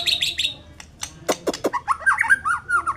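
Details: White-rumped shama giving quick varied notes: high chips, sharp clicks, then a run of rising and falling whistled notes.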